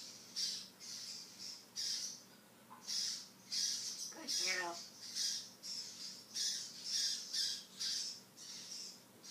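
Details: Pet male African grey, a talking parrot, repeats loud, high, raspy squawks roughly every half second to second, with one brief word-like voiced utterance in the middle, in a small quiet room.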